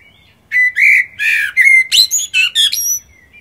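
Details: Common blackbird song phrase: a warbled, fluty whistle sliding upward, then a rapid run of squeaky, buzzy high notes and thin whistled twitters closing the phrase, in a quiet setting.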